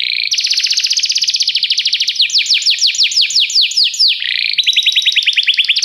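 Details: Canary song opening with a very fast rolling trill, then a run of repeated high downward-sweeping whistled notes, ending with another quick series of slurred notes.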